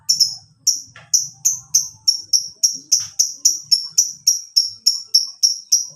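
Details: Lovebird sound used as a lure and master recording to train caged birds: a steady, rapid run of high, clipped chirps, roughly three per second, each sharp and slightly falling. Faint low murmuring sits underneath.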